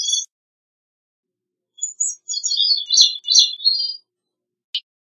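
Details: Gray-cheeked thrush giving a high, tumbling phrase of thin, quavering notes that drifts downward, with a brief note before it and a short chip afterward.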